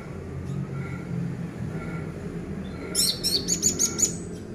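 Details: Orange-headed thrush song used as a lure to prompt a silent caged bird to sing: a burst of sharp, high, rapidly repeated chirping notes near the end, over steady low background hum and faint distant calls.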